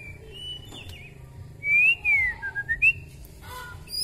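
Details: White-rumped shama (murai batu) of the Kalimantan type with an exceptionally long tail, in full song with filler phrases: after a quiet start come loud, clear slurred whistles, some falling and some rising, in a short burst of separate notes.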